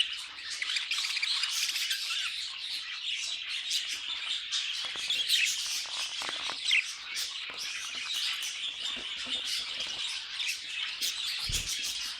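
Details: Pet budgies keep up a long, even warbling chorus of high chirps, clicks and trills, with a single sharp click near the end.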